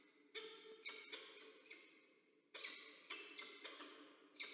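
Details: Wild peregrine falcons, a pair meeting at the nest, Orange, New South Wales, Australia, 6 April 2024, nest camera. Grating, harmonic calls come in short bursts of two or three notes, with a brief pause midway.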